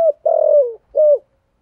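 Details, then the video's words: Decoy spotted dove of the 'thổ' voice type: a brief note, then a long, level, throaty coo that sinks at its end, followed by a shorter hollow coo. "cu gáy giọng thổ thúc gù và gáy gọi chuẩn thổ"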